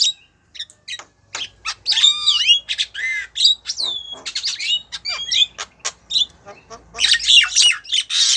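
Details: Javan myna, a female calling a male, mixing rising and falling whistles, squeaky slurred notes and harsh squawks in a fast, varied, irregular sequence.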